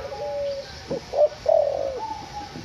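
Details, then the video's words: Spotted dove (derkuku), a captive white backspot six-month-old juvenile from a bird farm in Semarang, tame, cooing steadily: low hollow coos with a longer trailing note, several phrases within under three seconds. "Derkuku "Si Bedjo" Fighter tapi Jinak, Gacor Cetetan"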